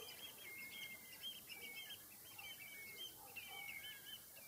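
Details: Common redshank (Tringa totanus), call.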